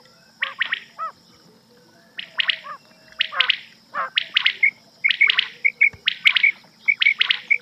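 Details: Rain quail (batair) call, a night recording used to lure birds when hunting: scattered rasping notes at first, then a fast run of short clear chirps repeated evenly, over a quiet background hum.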